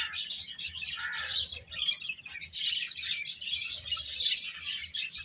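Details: Several baby chickens chirping while eating and playing; dense, overlapping high-pitched peeps and tweets in a steady busy chorus throughout, with short pauses, plus a lower tonal note near the first second.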